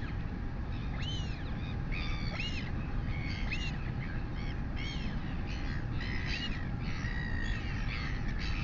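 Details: A royal albatross chick begs as its mother feeds it at a New Zealand nest, live camera, late morning of 23 August 2020; rapid, overlapping bursts of arched, squealing calls run almost continuously above heavy wind noise.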